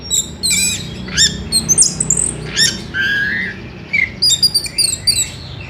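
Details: Orange-headed thrush singing in the evening, used as a lure to set other birds singing: varied high chirps, harsh squawky notes and short warbled phrases in quick irregular bursts.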